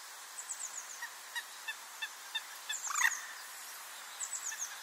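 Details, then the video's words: Common moorhen (Gallinula chloropus) gives one short, harsh, rolling 'kurruk' near the middle, among faint high ticking and thin chirps from small birds. "Het Waterhoen roept met een korte 'kuurruk'"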